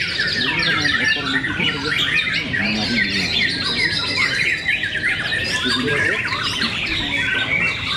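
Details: White-rumped shamas (murai batu) at a singing contest in Cibinong: dense, overlapping bursts of bright whistles and fast chattering phrases from several birds at once, with crowd voices murmuring underneath.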